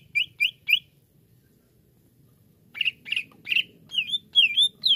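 Greater green leafbird: three quick, high chirps, a short pause, then a lively run of varied whistled and slurred notes over a faint low hum.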